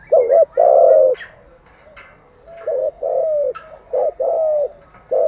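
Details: Spotted dove used to train decoy doves, cooing loudly in repeated phrases of a short doubled note and a drawn-out coo, about four phrases, with faint clicks and soft chirps between them.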